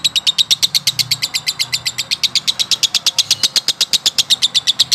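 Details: Long ngekek song from a male lovebird in konslet style: rapid, evenly spaced high chirps repeated roughly three times a second through the whole stretch, loud and unbroken.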